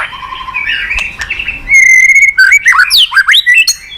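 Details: Murai batu lure song: quiet background twittering, then a long steady whistle and a quick series of bright, swooping whistled notes.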